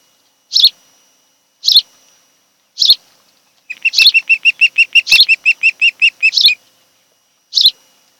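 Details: Afternoon at an osprey couple's nest on Kent Island, Maryland, 26 July 2018: three spaced high chirps, then a rapid, rhythmic burst of about fourteen clipped notes, then more single chirps.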